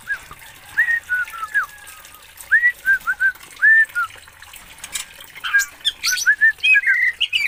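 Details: Scattered clear whistles and short slurred notes from an Oriental magpie-robin from Aceh, Indonesia, growing busier toward the end with higher squeaky and scratchy notes.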